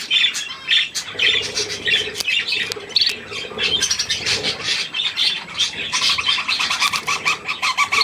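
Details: Budgerigars, including young birds, feeding on millet on 3 May 2024: stuttering clicks and sharp chirps, then a run of short, evenly spaced rising calls near the end among the steady group warble.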